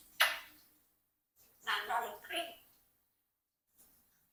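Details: Rocky, a 4-year-old Congo African grey parrot (Psittacus erithacus), mimicking speech indoors: a sharp opening syllable, then a short run of clear, human-like talking phrases in a quiet room.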